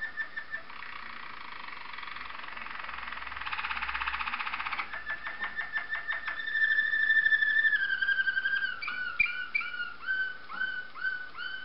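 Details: A Waterslager canary sings continuously, moving from a dense rattling trill into a pulsed rolling tour. Next comes a long, clear, gently falling whistle, then evenly spaced, chiming, bubbling notes.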